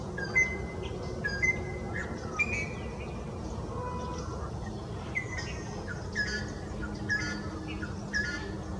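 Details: Greater racket-tailed drongo in forest in Maharashtra, India, mimicking the Rufous Treepie's call: short metallic whistles and twangy notes, roughly one burst a second, varied in pitch, over a steady low rumble.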